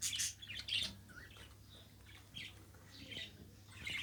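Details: Indoor budgerigar making soft, scattered chirps and short squeaky notes. They are louder at the start and end, with a quieter murmuring stretch in between and a low hum throughout.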